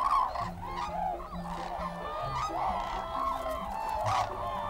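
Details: White-naped cranes arriving in October on harvested rice fields of the Cheorwon plain, South Korea, inside the civilian control zone, after a 2000 km flight from Siberia to winter: loud, overlapping trumpeting calls throughout, with a low voice or music underneath.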